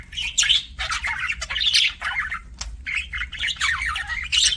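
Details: Pet budgerigars chirp loudly and almost constantly in warbling, squeaky bursts that slide up and down, each lasting under a second.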